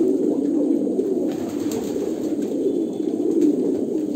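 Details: Kolkata pigeons producing a steady wash of low, gurgling coos, several birds overlapping, with a soft click or two.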